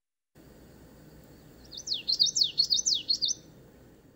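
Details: Common Yellowthroat in Victoria on Vancouver Island, a secretive bird whose song is heard around lakes: a quick run of high, sweeping, rolling notes, about eight in under two seconds, like 'wichity wichity' or 'we beat you', over a low steady hum.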